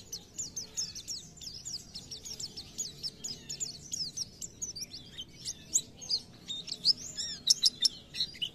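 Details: Oriental white-eye singing energetically in the 'nembak' style: a soft, continuous high twittering of jumbled chirps, becoming sharper, with louder separate notes toward the end, over a low background hiss.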